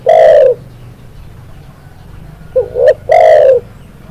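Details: Spotted dove song used as a training track: a loud, drawn-out coo, a pause of about two seconds, then a short double note leading into another long, slightly falling coo, over faint background hum.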